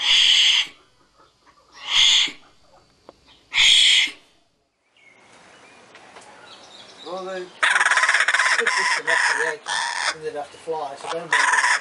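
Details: Laughing kookaburra in Australia: three harsh, breathy bursts, then a loud, raucous, chuckling outburst that builds into a rapid laughing chorus.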